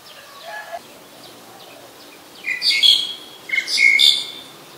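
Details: Black-collared Starling recorded at Ubon Ratchathani, Thailand, on 10 November 2021: two loud, harsh, squawking calls with rough overtones, each about a second long, following fainter scratchy notes in the first half.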